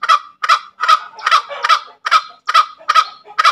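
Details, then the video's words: Green junglefowl giving about nine rasping kek notes of its ngekek call, quick and slightly uneven in spacing, with nothing else notable heard. "SUARA AYAM HUTAN NGEKEK SUPER MERDU"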